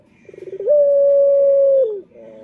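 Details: Male turtle dove (puter), Indonesia, calling to attract other males: a quickening burst of soft pulses swells into a long steady coo held over a second before dipping, followed by a low humming tail.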